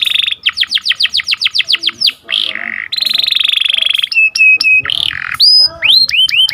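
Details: Sharp rolling 'cuit cuit' song of an Atlantic canary, used for training and to trigger singing in breeding birds. It opens with a rapid series of downslurred whistles, then buzzy holds, flat steady whistles and upswept notes.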